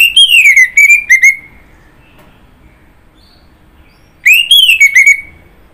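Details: Orange-headed thrush song: two loud, clear whistled phrases about four seconds apart, each a rising sweep followed by quick falling slurred notes and a drawn-out trailing whistle, with near silence between phrases.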